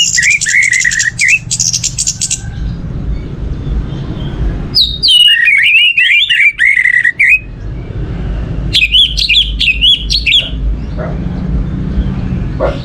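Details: Orange-headed thrush lure song: long phrases of wavering whistles mixed with buzzy, harsh notes, separated by pauses, over continuous low engine-like humming.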